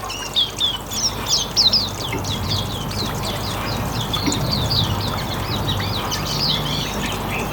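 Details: Riwikan song of a Hume's white-eye, kept as a lure to draw other birds: fast, continuous high-pitched twitter of short slurred chirps, slightly louder early on, set against broad background hiss.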